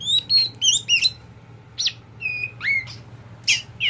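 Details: Tame kacer poci, an oriental magpie-robin kept by its owner, sings bursts of clear whistled notes, with rising and falling slurs and sharp upslurs separated by short pauses, over a faint low hum.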